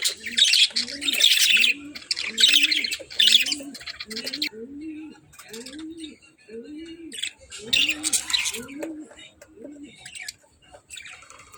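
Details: Budgerigars chirping: bursts of scratchy, buzzy, high chatter come and go, with a steady run of low, soft, arched notes repeating about once a second underneath throughout.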